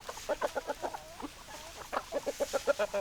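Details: Hens clucking in a steady run of short, pulsed notes, roughly three or four a second, with a brief drawn-out squawk near the middle and quiet background noise.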